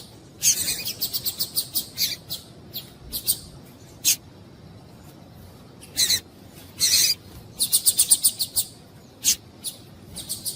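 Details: Female double-collared seedeater calling, used to stimulate males to sing: sharp, high chirps given singly and in quick bursts of three to five, with irregular pauses between, against a quiet background.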